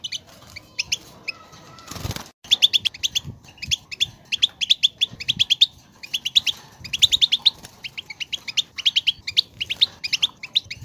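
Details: European goldfinch song, played to make a goldfinch sing: quick bursts of high twittering and tinkling notes in uneven phrases, with a brief loud wing-flutter or rustle near two seconds and faint background noise.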